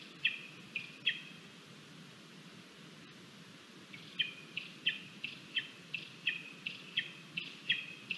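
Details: Lesser spotted eagle chick calling at the nest at breakfast, Latvia, 17 August 2022; a few thin whistled cries, a pause, then a rapid run of sharp squeals over steady wind-like background noise.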